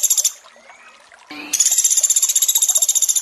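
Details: Sunda pygmy woodpecker in a training recording for sogon, with water sounds: a brief high buzzy trill, then a pause and a short lower note, followed by a long rapid rattling trill of evenly repeated high pulses over steady trickling water.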